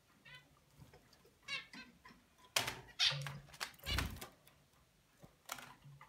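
A young zebra finch practices its song in halting bursts of buzzy, nasal notes and harsh rasps.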